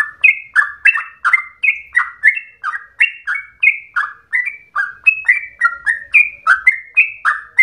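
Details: Yellow-vented bulbul singing a long, rapid ropel run said to resemble a straw-headed bulbul: loud, steady sequence of clipped, slurred whistles, each note falling, delivered in close succession without a break.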